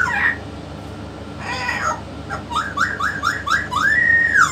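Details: Yellow-naped amazon parrot talking alongside a parrot expert: two short harmonic phrases, then a quick run of five rising, hooked notes and a long arched whistled note, over a steady low indoor hum.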